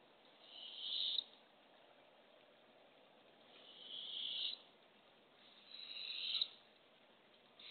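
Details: At a Barred owl nest box, early morning in April 2024, the female arrives with a baby opossum for her owlets; three drawn-out rasping hisses swell in loudness and cut off abruptly, spaced about two and a half seconds apart.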